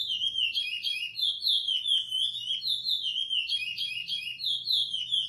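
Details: Chestnut-bellied seed finch (curió pardo) with praia song edited for training young birds. Continuous, melodious whistling rolls through wavy rising and falling phrases.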